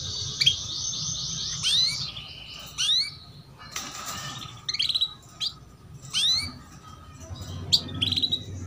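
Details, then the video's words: Female canary giving 'cuit cuit' chirps, used as a lure to get young canaries singing quickly; sharp high chirps and upslurred notes come in short bursts, over a steady high buzzing trill at the start and a faint low hum. "PANCINGAN Kenari BETINA Cuit Cuit || Masteran Kenari Paud Agar Cepat Bunyi"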